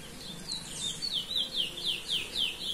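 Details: Chestnut-bellied seed finch (curió) singing while free, in the Belém song style: a quick, even run of about eight clear whistled notes, each sliding downward, over a faint steady background hiss.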